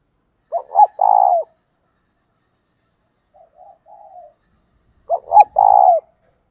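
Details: To attract wild doves, a spotted dove used as a decoy gives loud, hoarse stuttering coos that end in a long, drawn note. A gentle, quieter coo phrase falls between the two loud calls, and a single sharp click is heard.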